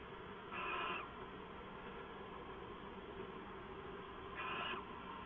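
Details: Owl on a live camera at 11:58 pm, 2 September 2014: two short rasping, breathy screeches about four seconds apart, each under half a second, with a low steady hum between them.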